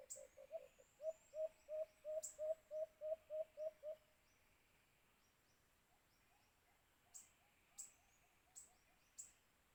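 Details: Alimokun (white-eared brown dove) heard while hunting with a cage trap: a quick run of about twelve low, hollow notes over four seconds, then quiet with a few faint echoing notes and sharp high clicks.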